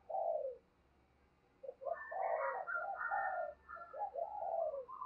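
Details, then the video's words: Spotted dove used as a decoy, cooing to call in wild doves: a short coo, a pause, then a longer run of overlapping mellow coo notes against a faint, steady background hiss. "Tiếng Chim Cu Mồi Thúc Và Gáy Gọi Bổi, Mở Lên Bổi Gáy Theo Và Nhanh Nổi"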